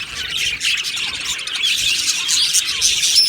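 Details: Aviary colony of Australian budgies keeps up a steady high chatter of chirps, squeaks and short rising warbles, sharp whistled notes near the end, the chorus swelling after a quieter start.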